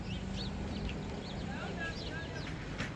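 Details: Birds sheltering in a tree in the snow at a downtown Allentown transit center near the Artswalk; short, high chirps and upward-sweeping notes come irregularly over a steady low rumble of city traffic.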